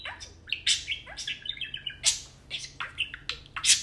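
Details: Two tame pet parakeets (budgies) playing and talking chatter in quick, bright chirps and scratchy warbles, several short notes each second, jumping between high squeaks and lower buzzy bursts.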